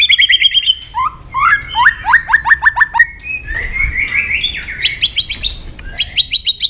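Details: White-rumped shama singing a varied, loud song meant to stir another shama's emotions: quick repeated whistled notes, then rapid descending slurred phrases, a rising run of sweet whistles, and high sharp repeated notes at the end.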